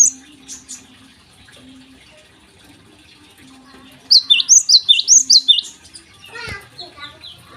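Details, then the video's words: Java sparrow in morning song, used to prompt untrained birds to sing. Soft chips and a low hum give way to a run of about ten loud, rapid, high chirps; a brief human voice and clatter follow. "gelatik gacor di pagi hari"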